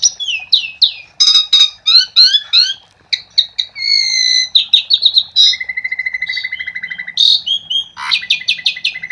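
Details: Lively song of an Asian pied starling, played to coax other starlings into singing. It is a fast varied medley of sharp downslurred whistles, metallic clicks, rattling trills and a long buzzy note, with rich mimicry-like variety throughout.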